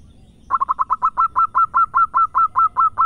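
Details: Local Zebra dove with a loud, frequently singing voice, recorded as a lure and master song for training birds: after a half-second hush, about fourteen quick staccato coos on one mid pitch, gaps slowly widening.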